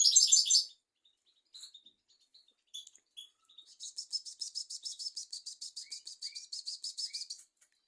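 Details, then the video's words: European goldfinch song used as a training recording for teaching young goldfinches and canaries: an opening burst of high twitter, scattered short notes, then a steady run of bright, clipped notes repeated about three times a second. "تغريد طائر الحسون"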